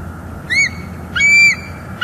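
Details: Female bald eagle at a nest in northeast Florida, calling as her mate brings fish and sticks, December 2021, nest camera: high, thin squealing notes with harmonics, two clear bursts and a third starting, over steady low hum.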